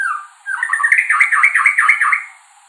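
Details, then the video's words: White-rumped shama, a small songbird of the Indian subcontinent, singing to attract a mate: a soft opening whistle, then a rapid run of about eight looping, rising-and-falling trilled notes lasting under two seconds. "White Rumped Shama Singing"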